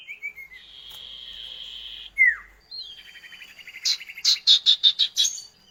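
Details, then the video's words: Common iora duet meant to prompt kept birds to sing clearly. A long, even buzzy tone gives way to a sharp falling whistle, then a soft trill that builds into a loud run of rhythmic chips. "Masteran burung CIPOH KACAT gacor ngerol duet pancingan"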